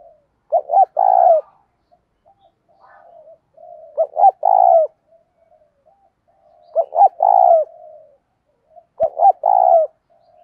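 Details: Spotted dove kept as a decoy, calling to incite fighting. Four repeated coo phrases, each two short notes and a longer vibrating coo, spaced roughly three seconds apart, with a single sharp click near the end.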